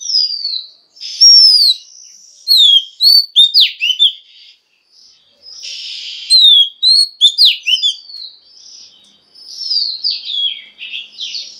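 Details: A female Oriental magpie-robin sings to encourage males to sing, alternating long clear whistles with clusters of quick, steeply slurred chirps across several phrases, with short quiet gaps between them.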